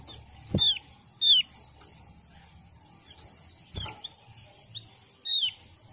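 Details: Javan grey-throated white-eye, a Java species protected in Indonesia whose numbers are falling and which is near extinction, giving its loud call: short, high downslurred notes at irregular intervals, with a couple of sharp knocks and a faint hiss.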